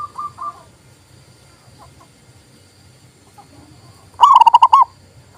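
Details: Local zebra dove song meant to coax quiet doves into calling: a few faint scattered notes, then one loud, fast phrase of about six clipped, hiccuping coos near the end.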